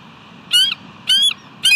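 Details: Bald eagle sitting on its nest rock one afternoon in July 2018, giving call outs: three high, squeaky, slightly rising piping notes, each about a fifth of a second, spaced roughly half a second apart.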